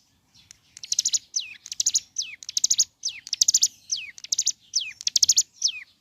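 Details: Morning song of a ciblek gunung, meant to excite others into singing. Regular phrases, roughly one a second, pair a buzzy high rattle with a downward-sliding whistled note, repeated steadily throughout.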